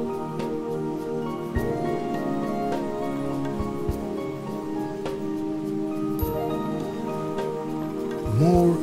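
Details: Soft, sustained music with light patter like rain and a brief spoken voice at the end; no animal calls.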